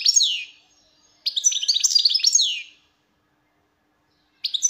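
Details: European goldfinch song: high, rapid twittering bursts of tinkling, buzzy chirps and downward slurred notes, given in three separate phrases with silent gaps between.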